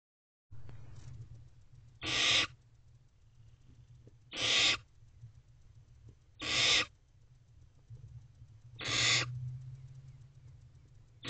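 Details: Barn owl owlets in a nest box at about 5 am on 16 May 2023, swaying together; loud broadband hissing rasps, each under half a second, repeated roughly every two to two and a half seconds, four in a row over a low steady hum.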